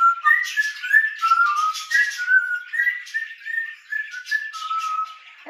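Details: Two captive grey parrots whistling an indoor melody together: a steady string of pure, slightly sliding notes in quick succession, about three per second, ending with a short low squawk.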